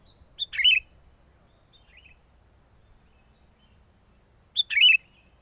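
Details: Sooty-headed bulbul used as a trapping lure, recorded in strong wind: two short, bubbly, fluty phrases with a quick rising-falling warble, about four seconds apart, with quiet pauses between.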